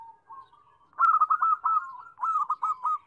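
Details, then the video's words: Zebra dove cooing, played to prompt birds that have stopped calling: a soft low note, then a loud rolling series of rapid, stuttering coos at a steady mid pitch, repeated in two phrases. "Suara perkutut Ampuh Atasi Macet bunyi"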